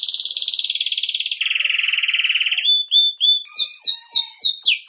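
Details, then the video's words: Belgian canary singing a campainha-style song for training young birds: a long rapid buzzy trill that drops to a lower trill, then short whistled notes and fast falling slurred phrases. "Canário belga campainha para treinar filhotes"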